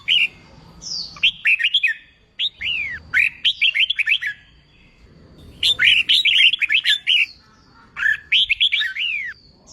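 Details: Newly caught red-whiskered bulbul singing during contest training: repeated phrases of bright chirping whistles with downward slurs, about four bursts spaced by brief silences.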